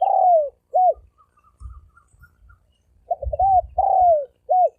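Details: Spotted dove, thổ ồm vang cooing delivered at high speed. A long falling coo and a short hooked note close one phrase. A stuttered opening, another long drooping coo and a clipped note follow, with soft low knocks between.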